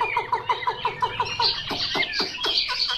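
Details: Chinese hwamei giving a string of short, evenly spaced mid-pitched notes about six per second, then breaking into louder rising and falling whistled slurs with sharp high accents.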